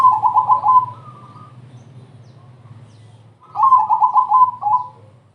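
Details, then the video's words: Zebra dove repeating its crossing-style song to lure other doves into singing: two bursts of quick, rolling coo notes separated by a pause of about three seconds, with a low hum throughout. "perkutut crossing gacor TERCEPAT, memancing BUNYI,semua jenis perkutut terpancing"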